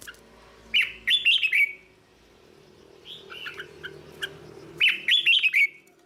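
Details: Red-whiskered bulbul delivering teaching song for young birds: lively bubbling phrases of quick up-and-down notes, a softer fragment in the middle, then another loud phrase, over faint hum.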